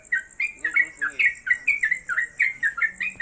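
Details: A Yellow-vented Bulbul, kept at home and hung on a cage hook, pours out a fast, bubbly string of liquid chirps, about four notes a second, each with a quick up-and-down twist, in a small indoor space.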